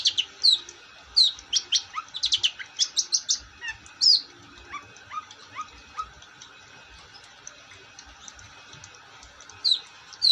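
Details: Long-tailed shrike singing actively: a fast, rattling series of high, scratchy chirps, then sparse, soft lower notes, and a final pair of sharp squeaks after a quiet spell.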